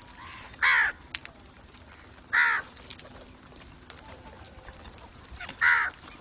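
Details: Three loud, hoarse crow caws spaced about two seconds apart, each a single rasping note, offered as a call to draw crows in; light background noise between them.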